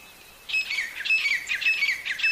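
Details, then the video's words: In the jungle, a wild partridge, described as very healthy, bursts into a fast string of harsh, ringing, rattling notes after half a second of near silence. "jangli teetar ki awaaz"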